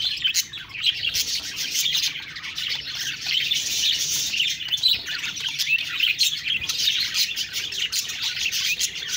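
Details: Budgerigars chirping and chattering continuously, a dense overlapping stream of high, buzzy twitters and warbles with quick clicks, suggesting several birds calling together without pause.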